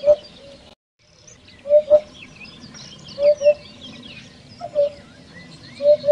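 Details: Common hoopoe giving soft, hollow, low hoots in close pairs, each pair repeated about every one and a half seconds, with faint chirps of other small birds in the background.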